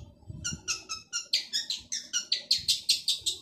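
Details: Energetic male long-tailed shrike delivering a fast series of rasping, harmonic notes, roughly three to four per second and growing louder toward the end, with faint low knocks behind.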